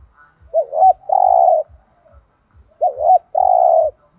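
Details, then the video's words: Thổ đồng style spotted dove song: a double wavering coo ending in a long steady hoot, the phrase delivered twice, with faint rhythmic low clicks. "cu gay tho đồng thúc gù/ chim cu gáy giọng thổ đồng chuẩn nhất"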